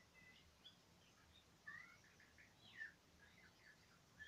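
A fieldfare sings softly, a scatter of faint, scratchy chirps and brief squeaky notes, a few standing out clearly over a quiet background hiss.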